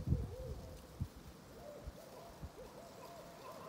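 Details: Distant barred owls chattering at the edges of their territories in Pine Hill Park near Rocky Pond, Rutland, Vermont, in April 2020: a rapid run of short, arched hoots in a faint, wavering chatter, over low thumps and rumble.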